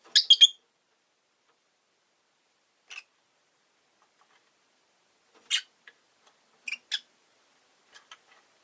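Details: Chirping Rosy-faced lovebird: a quick burst of three shrill notes, then isolated short chirps and a couple of paired squeaky calls separated by silence.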